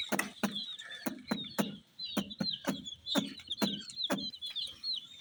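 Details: Dyed rainbow chicks among toy baby dolls, high descending peeps running in the background while sharp clicking taps repeat about twice a second in front.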